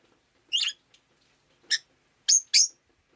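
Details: Rosy-faced lovebird chirping indoors on a rainy day, four harsh, broadband chirps, the last two rapid and close together, over a quiet background.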